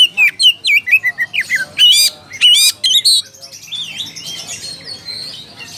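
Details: Oriental magpie-robin calling a rival: loud, rapid varied phrases of whistled and buzzy notes with sharp sweeping slurs, about two per second, then a softer rambling warble in the final seconds.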